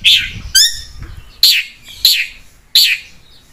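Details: Long-tailed shrike in a chatty trigger recording: harsh, buzzy chirps repeated at uneven intervals about every half second to second, with one bright descending whistled phrase, over a faint low background hum.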